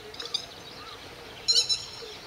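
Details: Territorial grey-headed lapwing mobbing an intruding grey heron and ducks, morning of 31 May 2011; one loud burst of shrill, clipped, stuttering notes after softer distant calls, with steady background noise.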